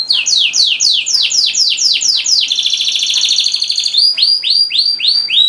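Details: Canary song used to prompt quiet canaries to sing: loud, fast series of downward-sweeping whistled notes, then a buzzy rattling trill, then more repeated sweeping notes, about four per second, close and clear.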